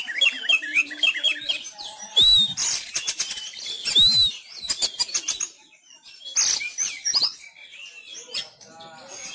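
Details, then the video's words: Caged Sumatran Oriental magpie-robin giving fighting-style song at home during the COVID-19 lockdown, contests closed; loud varied whistles, upslurred and arched notes mixed with harsh rattling bursts, quieter gap midway before chirps resume. "Gaya tarung Kacer kacer sumatra"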